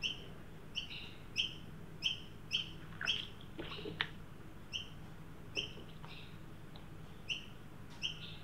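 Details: Adult and juvenile Australian magpie at a new birdbath in a Sydney backyard, heat wave of 43° Celsius, 9 December 2023; high squeaky notes repeated in a regular run, with a few brief clicks and splashy noises midway.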